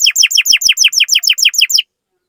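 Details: Canary song used as a lure to stir other canaries into singing: a fast run of about eleven loud, sharply falling chirps, evenly spaced over under two seconds, then silence.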